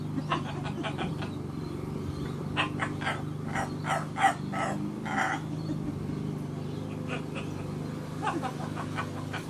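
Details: Pet macaw parrot laughing and talking, calling for its grandpa: a run of short, sharp, clipped bursts in quick clusters, pausing and then resuming, over a steady low engine-like hum.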